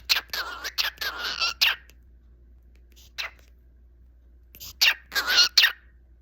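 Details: Cockatiel singing indoors: warbling whistled phrases with a wavering tone, given in two bursts separated by a quiet pause, with scratchy harsh notes mixed in.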